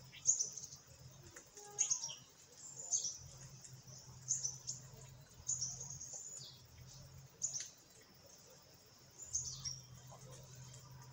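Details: Parakeets in a group calling with repeated high, thin chirps roughly every one to two seconds, each a quick clipped note, against a constant low background hum.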